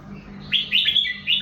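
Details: A red-whiskered bulbul breaks into a rapid run of rising and falling whistled notes after a moment of hum-filled quiet.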